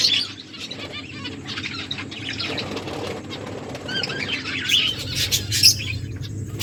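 Several finches give soft, high chirps and short twittering notes, scattered irregularly, with fluttering wings and a low background hum.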